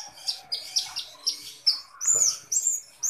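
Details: Kolibri ninja sunbird in vigorous song: high, sharp chirps repeated about every half second, then a thin rising and falling whistled trill.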